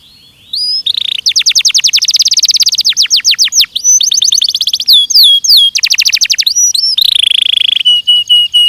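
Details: Belgian canary in a training recording delivering a rich, continuous song of rapid rolling trills, sharp sweeping whistles and a buzzy passage, closing on a steady repeated high note.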